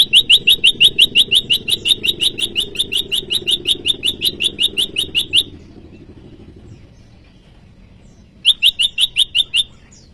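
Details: Bar-winged prinia calling to challenge rivals, a lure and training recording for caged birds: a long, even run of about thirty sharp, high ticking notes over five seconds, a pause, then another quick burst.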